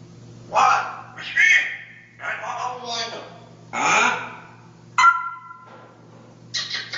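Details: Parrot of Dutch breeding, hatched in 2010 and noted for a very loud voice, giving five harsh, harmonic squawks about a second apart. One ends in a short steady whistled tone. A low steady hum runs underneath.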